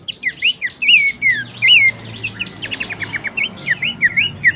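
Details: Horsfield's babbler vocal material for songbird training: a lively string of short looping whistles, each rising then dropping, alternating with fast clipped notes in a steady rhythm over high chirping.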